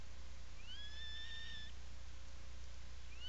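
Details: Atlantic puffin in its nesting burrow on Seal Island National Wildlife Refuge, Maine, 17 July 2018, afternoon: one drawn-out, rising, whistled note lasting about a second, clear overtones, then the start of another call, over steady low hum.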